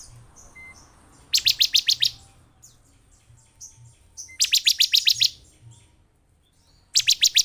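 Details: Bar-winged prinia lure song for a caged bird, meant to excite it into singing: loud bursts of five or six rapid, sharp metallic notes, each burst separated by quieter pauses with faint thin chirps.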